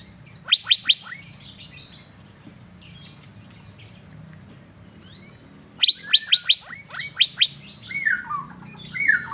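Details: Asian fairy-bluebird singing energetically while set out to sunbathe in Banjarmasin: bursts of rapid, sharp high chirps in quick clusters, a pause, another chirping burst, then slurred whistled notes sliding downward near the end.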